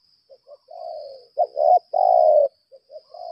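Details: Challenge calling by a lambung kuk decoy spotted dove: soft short coos, a fading coo, then a loud double note and a long strong coo, with a high steady whine in the background.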